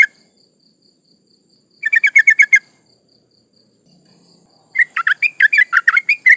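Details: Breeding-condition female sooty-headed bulbul calling for males, played as a lure: a short burst of rapid chattering notes, a pause, then a longer, more varied run of sharp rising and falling chirps.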